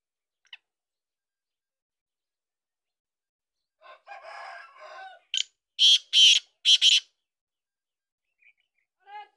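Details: Black francolin (Francolinus francolinus) calling: a loud, harsh, grating phrase of about five rasping notes in quick succession, preceded by a softer buzzy chatter; otherwise quiet.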